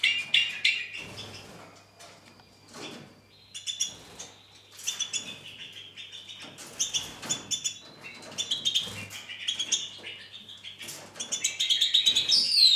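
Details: Two-barred crossbill singing in the weather of the day: a long, dense run of rapid chirping and trilled notes, high and bright, some buzzy, about four per second with uneven rhythm and a brief rasping flourish at the end.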